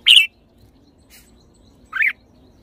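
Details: Red-whiskered bulbul giving two short, bright warbled phrases about two seconds apart, the first twisting and the second rising then falling, over a quiet background with a faint low hum.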